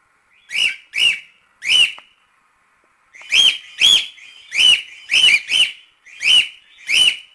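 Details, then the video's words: Cockatiel sound from a chick-training recording, loud sharp chirps repeated singly and in pairs with short gaps, in otherwise quiet surroundings. "CALOPSITA CANTO TREINAMENTO PARA ENSINAR FILHOTES - CANTO DO PÁSSARO CALOPSITA ENSINANDO FILHOTES"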